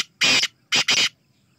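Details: Black francolin calling: a harsh, grating burst followed after a short gap by two more rasping notes run close together, loud and dry against a quiet background.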